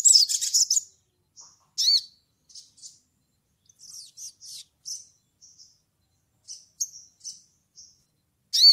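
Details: Crimson sunbird in ngleper style, calling to a rival: an opening burst of rapid high twittering, then scattered thin chips and soft trills, with harsh arched notes near the start and at the end.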